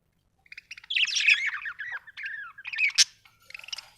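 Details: Happy budgerigar chattering, a continuous run of warbled, squeaky and gurgling notes rising and falling, ending with a sharp squawk and a few soft chirps.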